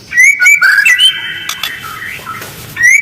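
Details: White-rumped shama lure song, rough and quick, meant to provoke other birds: loud rising whistles at the start and end, with softer sustained tones between.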